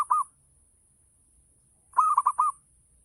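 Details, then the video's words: Local zebra dove giving a full 'ngayer' lure song to draw answers from other doves: a clipped single coo at the start, then a clear phrase of four rolling, bubbly notes after a pause. "Gacor Perkutut Lokal || Pancingan Full Ngayer Perangsang Nyaut Bunyi"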